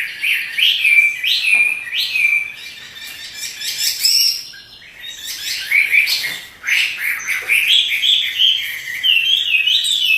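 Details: Pet Chinese hwamei singing hard while dancing, loud whistled phrases in bursts, with a brief quieter gap in the middle and then fast, varied notes, plus some rustling and knocks.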